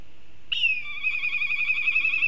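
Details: Black kite in Kurzeme, Latvia, giving a whinnying call: a sharp high note sliding downward, then a long quavering, tremulous trill held at an even pitch.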